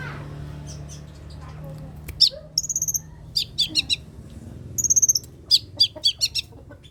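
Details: Long-tailed shrike singing energetically, a recording used as a lure and tutor to prompt reluctant shrikes to sing. Sharp bursts of rapid clicking notes and short high trills come in tight clusters, separated by brief pauses.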